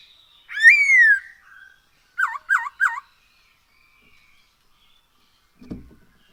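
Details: Black-throated laughingthrush song used as a lure to make birds sing more: one long loud slurred whistle rising then falling, followed after a pause by three quick looping whistled notes, then a soft low knock.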